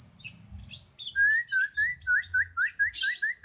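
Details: Cucak cungkok bulbul song from a songbird training recording: a quick series of short, rising whistled notes repeated about every quarter second, mixed with higher thin chirps and a brief harsh burst near the end.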